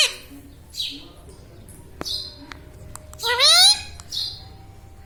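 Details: Indoor talking pet Indian ringneck parakeet: one loud rising harmonic voice-like call mid-clip, surrounded by soft breathy high hisses and a sharp click.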